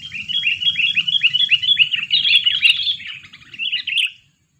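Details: Lure sooty-headed bulbul, two years old. It gives a rapid series of clipped, slurred notes, about three to four each second, that swell into a louder jumbled chatter and then stop abruptly. A low hum runs underneath.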